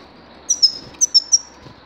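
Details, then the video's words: Grey-crowned goldfinch, 2019 recording: a quick run of five sharp, high tinkling chirps packed into about one second, each note thin and slightly falling, against faint steady background noise. "Седоголовой щегол"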